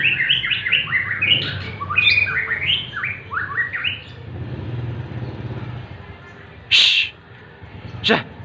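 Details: White-rumped shama in morning sunning, pouring out a rapid four-second run of bright, stepped whistled notes, then quieter, followed by two loud sharp knocks.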